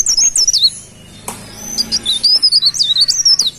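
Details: Golden-bellied gerygone in lively song: two bursts of thin, high, wavering whistles that rise and fall in quick zigzag notes, split by a short quiet gap with a faint click.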